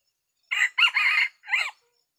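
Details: Crow of a red junglefowl decoy rooster (pikat kokok) used to draw wild Sumatran junglefowl in a small oil palm grove; a harsh three-part crow lasting just over a second, the middle part longest, in near silence.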